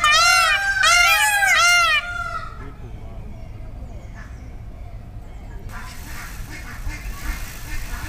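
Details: Peafowl at Korkeasaari zoo in Helsinki, Finland, at the start of summer 2018, giving three loud, rapid, arching honks in quick succession, then a quiet spell with rustling, outdoor background sound.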